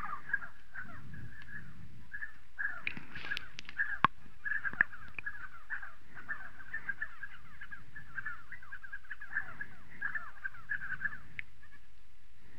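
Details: Spotted sandgrouse in South Morocco: a steady chatter of overlapping, down-slurred throaty notes running through the whole recording, with brief louder bursts near the middle and faint low rumble beneath.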